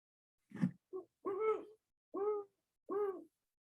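Great Horned Owl giving a deep, far-carrying hoot in five notes with a quick double note near the start, hoo h'hoo hoo hoo, about three seconds long.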